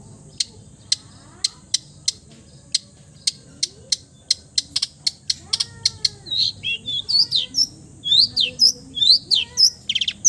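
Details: Long-tailed shrike, a cendet, imitating other birds: evenly spaced sharp ticking clicks that speed up, then a run of loud varied slurred chirps and warbles; soft low gliding whistles in the background.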